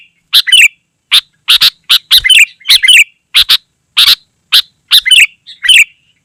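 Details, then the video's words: Sooty-headed bulbul in lively song, played to lure wild birds and tutor caged birds: harsh doubled chirps alternating with short gurgling warbles, irregular, roughly every half second. "Suara Burung KUTILANG GACOR Sangat Rapat"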